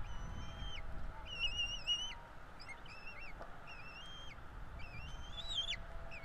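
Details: Bald eagle chicks being fed at a nest in Florida on 5 April 2022, two eaglets with their parents: a run of thin, high, tonal squeals with rising and falling wavering notes, repeated about twice a second over a steady low background rumble.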